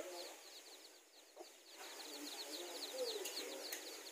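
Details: Newly hatched chickens with their mothers in a garden, where mother hens meet to fight over territory; fast, high, thin downward-sliding peeps repeat steadily throughout, with faint low sounds underneath.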